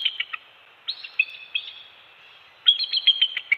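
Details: Bald eagles, Captiva/Sanibel Island, Florida, nest cam at an early-morning shift change and feeding of two-week-old eaglets, December 2020; short, high piping phrases of a few stuttered notes, ending in a brighter, faster chattering run.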